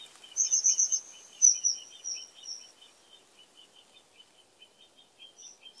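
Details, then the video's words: Common kingfisher: a high, thin whistled trill of rapid piercing notes, then a longer drawn-out whistle that tails off, while another small caller keeps up quick, lower chirps, about four a second, throughout. "The song of the Kingfisher"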